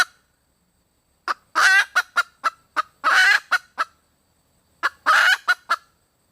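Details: Hen red junglefowl seeking a mate repeats her phrase three times: a few short sharp notes, a drawn-out rasping note, then quick clipped clucks, in a quiet setting.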